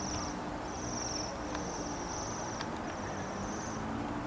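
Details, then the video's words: Waxwings arrived in Bryansk city in December 2023, giving thin high trilled calls in a series of drawn-out notes, each under a second, over steady low city rumble. "Waxwings have arrived in the city."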